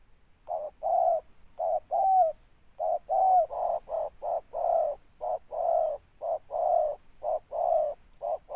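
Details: Loud-voiced spotted dove, local bird, ngeruk-style singing with tindan ending: a long steady series of low hollow coos, short and longer notes alternating almost twice a second, a few with a sliding inflection, constant thin high tone behind.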